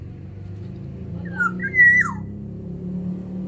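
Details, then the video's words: Black-naped oriole from Sumbawa singing in an aviary: one fluty whistled phrase, sliding up, holding a clear note, then dropping away, over a steady low hum. "Keodang emas sumbawa di dalam aviary gacor"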